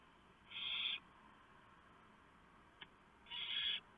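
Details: Nighttime barn owl nest where the male has delivered a big mouse and the owlets are fed. Two drawn-out, grating hisses separated by quiet, with a single faint click between them and steady low hum throughout.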